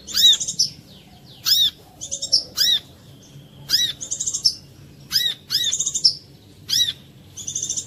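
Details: Korlap, the brown-throated sunbird, in a clean lure song used to coax other birds into singing: isolated shrill curved chirps and short rapid trills, spaced irregularly across the stretch.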